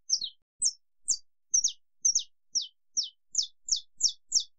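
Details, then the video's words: Long "estalo" song from a Brazilian saffron finch, high flat whistles joined to steep falling notes, then regular descending chips roughly every third of a second, clean and undisturbed. "CANÁRIO-DA-TERRA CANTO ESTALO LONGO"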